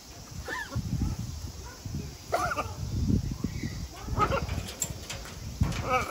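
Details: Harlequin and Catalina macaws at Atagawa Tropical & Alligator Garden in Japan, talking: a series of short, harsh, harmonic voice-like syllables in scattered bursts over a steady low rumble of background noise.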